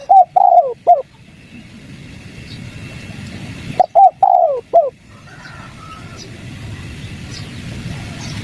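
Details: Spotted dove in the 'kuk 3' lure style meant to set wild doves calling: two soft, hollow cooing phrases, each a few short notes around a drawn-out falling coo, with a long quiet pause between them.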